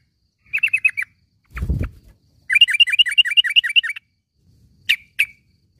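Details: Yellow-vented bulbul calling in the morning, as training for caged birds: a quick burst of five sharp chirps, a low thump, then a fast run of about a dozen chattering notes and two final chirps.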